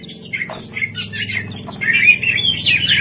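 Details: Singing white-rumped shama at night, choppy chattering notes followed by a louder, bright warbled phrase near the end, over a steady low hum.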